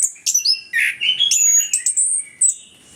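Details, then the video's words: Vigorous orange-headed thrush song, a lure for reluctant singers: a dense three-second run of sharp chirps, slurred whistles and buzzy notes shifting rapidly in pitch, delivered loud and close. "ANIS KEMBANG GACOR, PANCINGAN AK MALAS BUNYI BIAR GACOR"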